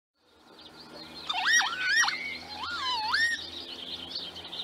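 Northern Lapwing giving wheezy, slurred 'kee-wit' calls, several strongly rising-and-falling notes in quick succession over a faint background hiss.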